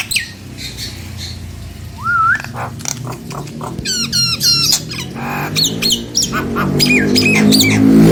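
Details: Nias hill myna sound used to coax non-singing mynas into answering: a rising whistle among quick bursts of sharp descending notes and clicks, growing busier, with a steady low hum underneath.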